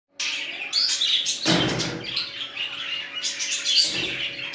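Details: Budgerigars in a new colony, kept birds, giving a burst of high chirps and squeaky twitters, interrupted by a broad rustling flutter midway, with a steady low electrical hum underneath.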